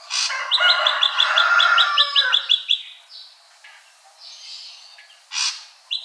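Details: Ashy drongo singing: a rapid series of bright, evenly spaced chirped notes for about two seconds, followed by softer scattered notes and a couple of loud harsh bursts.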